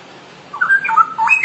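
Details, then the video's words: Straw-headed bulbul in ngoceh song for masteran use: a short, mellow whistled phrase that wavers between low and higher notes before leaping up, over a faint hum. "Kicau Cucak Rowo Ngoceh Masteran"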